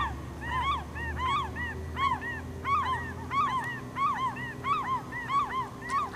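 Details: Several Glaucous-winged gulls calling at Campbell River, British Columbia, April 2007, during a gull's slow swallowing of a starfish: overlapping bright, arched, yelping notes in rapid rhythmic bursts, with faint low rumble beneath.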